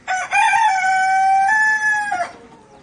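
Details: Black Australorp rooster crowing: one loud, sustained crow of about two seconds, beginning with a short rough note and then holding a steady, bright, nasal tone before cutting off, in otherwise quiet surroundings.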